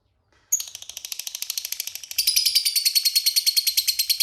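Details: Lovebird in long chattering song: after a brief silence, a rapid, rattling stream of high, buzzy pulses, about three per second, growing louder and denser halfway through and running on without a break.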